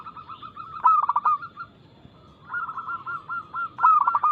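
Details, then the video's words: Local perkutut, the zebra dove, giving its energetic crystal-toned anggungan song as a luring recording. Two emphatic bursts of pulsed coos are separated by a brief pause and a stretch of lighter rolling notes. "PERKUTUT LOKAL GACOR Nada cepat Suara keras kristal Bikin cepat bunyi ( Pancingan Burung Anggungan)"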